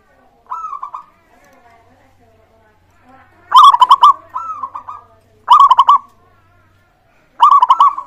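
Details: Local zebra dove cooing, used to encourage other doves to sing. Soft rolling coos alternate with loud, rapid stuttering bursts of notes, and the phrases repeat about every two seconds.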